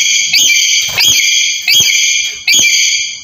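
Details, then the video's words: Continuous raucous screeching of a black-capped lory, used to prompt a quiet bird to call: four loud, harmonic, rasping calls run almost together, each starting with a sharp onset. "Suara Pendobrak Burung Nuri Malas Bunyi"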